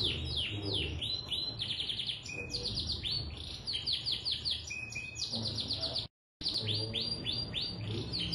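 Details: Canary singing a long, energetic song meant to make other canaries sing along: rapid repeated downward-sweeping notes in fast rolling series, with buzzy trills between, broken by a brief silent gap near the sixth second.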